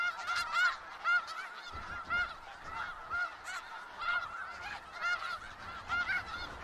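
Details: In Skagit Valley a large gathering of snow geese calls nonstop; strong, clipped honks burst out about once a second above a continuous flock hubbub.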